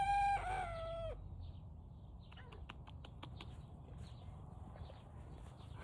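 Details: A young Turken rooster, just learning to crow at about 5 a.m., gives one short, strained crow of about a second, a flat hoarse note falling at the end, followed by faint clucks and quiet background noise.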